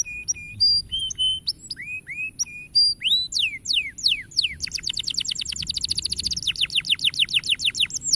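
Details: Canary singing to motivate young canaries, short flat whistled notes at varying pitches, several down-slurred whistles, then a long, very rapid trill of high chips running to the end.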